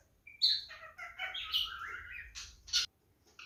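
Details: Male cockatiel in mating mood producing a wavering sequence of slurred whistles that slide downward, ending in two sharp, loud chirps.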